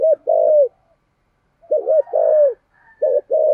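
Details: Spotted dove (cu gáy) used as a decoy, its thổ-style voice meant to provoke wild birds: low, hollow cooing in short groups, a quick double note followed by a longer drawn-out coo, repeated after brief pauses in a quiet setting.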